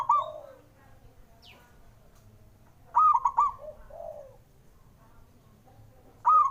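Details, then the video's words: Male zebra dove cooing to spur birds that are slow to sing: a loud clipped three-note phrase around 3 seconds and another at the end, with softer, lower drawn-out coos from other doves between them. "JENIS SUARANYA🔊 PALING BANYAK DI CARI UNTUK PENDOBRAK PERKUTUT MALAS BUNYI"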